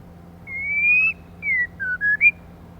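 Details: Female white-rumped shama whistles a long clear rising note, then a falling note and three short quick whistles climbing at the end; the bird is used to stimulate males.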